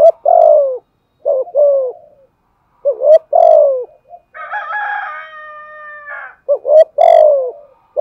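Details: Spotted dove used as a decoy, cooing in low hollow phrases with falling endings, repeated several times; a rooster crows loudly in the middle of the sequence.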